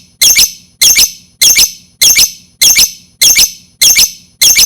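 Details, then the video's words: Lovebird, for luring lovebirds: shrill calls in quick double notes, each pair a harsh, high 'chi-chik', repeated steadily about every 0.6 seconds. "Lovebird Sound"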